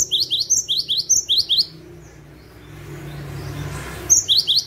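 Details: Lure recording of a cinereous tit singing gacor style: a rapid string of high, slurred, downward whistled notes, silence with soft low hum, then another brisk burst of the same sharp notes.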